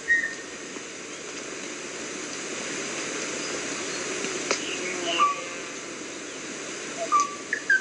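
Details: Kauai ʻōʻō (Moho braccatus), song.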